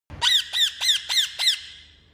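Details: Parrot giving five harsh, ringing squawks in quick succession, about one every quarter second, each with a bent, rising-then-falling tone, followed by a fading echo-like tail in a quiet setting.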